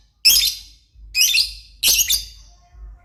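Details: Actively calling lovebird gives three shrill, raspy screeches, each a burst of noisy, scratchy sound that fades over half a second, spaced under a second apart.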